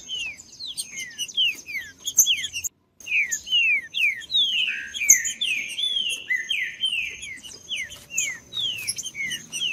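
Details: Singing green-winged saltator used to stimulate cold captive birds; dense run of high, downward-sweeping whistled notes repeated rapidly, broken by a short silent gap, over a constant faint high background tone.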